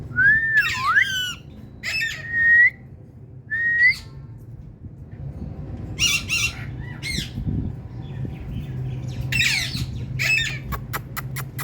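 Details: Talking female Indian ringneck parakeet with a pet cat-like voice: a harsh squawk and rising whistled mews in the first four seconds, later scattered squawks and a quick series of clicks over a low hum.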